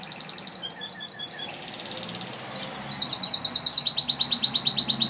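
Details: Gloster canary delivering a continuous high trill: ticking pulses shift into a smooth buzzy roll, then a quick accelerating run of repeated chirping notes, over steady background hiss.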